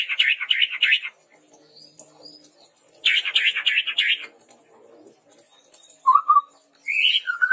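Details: Red-rumped tepus played as a training lure: two harsh rattling chatter bursts separated by a quiet gap, then a short low whistle and a higher rising whistle.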